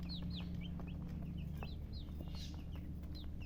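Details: Distinct chick chirps, loud high peeps bending downward, several birds calling in turn with short gaps, over a constant low hum and faint tapping.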